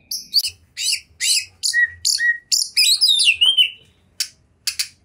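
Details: Champion Oriental magpie-robin (kacer) in continuous gacor song full of varied material: a rapid run of high, scratchy notes and sliding whistles, including two clear falling whistles and a long rising-falling note, then sharp isolated chips after a pause.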